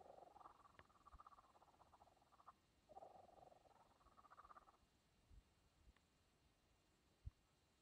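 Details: A young kookaburra warbles softly in a hushed exchange, recorded on a phone camera. Two buzzy, wavering phrases, each about two seconds long, are followed by quiet, with a single sharp tap near the end.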